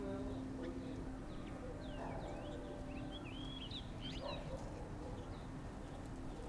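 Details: Grey-hooded warbler in Uttarakhand, India, giving short, thin, high whistled notes that slur up and down, grouped in a brief burst in the middle, over a steady low hum and faint lower background sounds.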